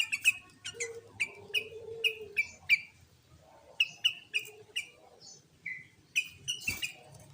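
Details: Sooty-headed bulbul in a loud lure song meant to excite other bulbuls into singing; a fast run of about a dozen short, sharp, downslurred chirps, then a pause and another rapid series ending in a noisy burst.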